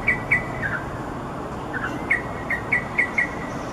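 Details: Wing-fluttering yellow-vented bulbul by Bukit Timah and Bukit Batok nature areas gives clipped, sharp chirps in two bursts, a pair of notes then a rapid run of four or five, set against a constant low rumble.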